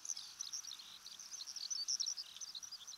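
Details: In Japan, a Eurasian Skylark, a bird of farmland, grassland and waterside, sings an unbroken, rapid stream of high, thin chirps and short trills, tumbling on without pause, over faint background hiss.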